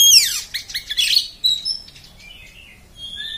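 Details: Oriental magpie-robin opening with a fast, harsh rattle of descending notes, then a few soft, thin, high whistles in a rough beset style.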